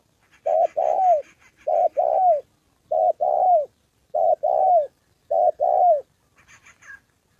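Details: In Gia Lai, Vietnam, on the 2 September holiday, a decoy spotted dove is trained while a wild bird and a female come near. Rhythmic paired coos end in a falling tail, with soft high twittering in the background.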